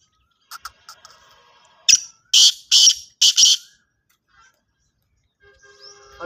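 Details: Kala tetar, the black francolin, calling: a few faint clicks, then a series of four harsh, buzzy notes in a quick rhythm, followed by quiet and a brief faint tone at the end.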